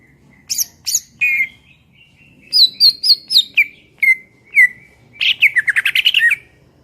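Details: Greater green leafbird (cucak ijo) master song for songbirds to copy: high sharp notes, a run of whistled slurs, then a rapid rattling trill of chattering notes.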